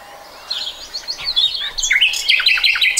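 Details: Common nightingale singing in 2020: a series of varied high whistles and chirps, starting quietly then building into loud, rapid bursts of sharp notes and trills.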